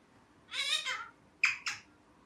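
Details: Pet ringneck parrot speaking a drawn-out, nasal mimicked word, then two short bright chirps, over faint room hum.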